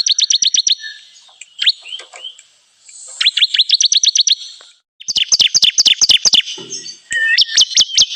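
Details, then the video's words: Bar-winged prinia trapping lure: several bursts of rapid, high, clipped chirps with quiet gaps between them, the later bursts louder and more ringing. "pikat burung ciblek kristal"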